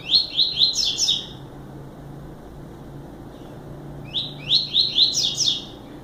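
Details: Short song of a double-collared seedeater, delivered twice about four seconds apart, each a fast chain of bright upslurred notes rising into higher, harsher syllables.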